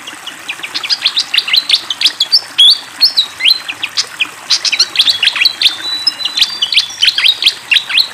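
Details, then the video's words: Energetic fantail song near running water: a continuous stream of high chirps interleaved with clear whistled notes, some stepping up or down in pitch, delivered rapidly and without pause. "SUARA BURUNG SIKATAN KIPASS GACOR DENGAN SUARA AIR MENGALIR"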